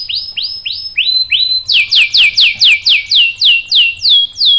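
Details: Prolific canary song used to provoke other canaries: clear rising-then-falling whistled notes repeated about every third of a second, becoming louder and fuller mid-way, each note sweeping down in a smooth steady series.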